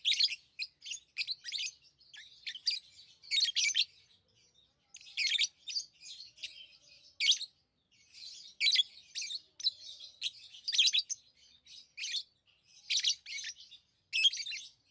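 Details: Lovebirds kept as pets chirp busily, with rapid, shrill, rasping notes in clustered bursts and brief lulls, the sound clean and high-pitched.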